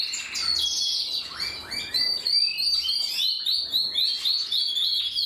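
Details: Several canaries singing together: a continuous, rapid warble of high, bright notes, with quick rising slurs and trills tumbling over one another throughout.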